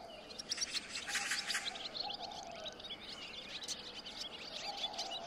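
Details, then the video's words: Barn swallow twittering in a fast, continuous stream of high chirps and scratchy, buzzy rattles, over a faint low steady hum. "家燕 Barn Swallow"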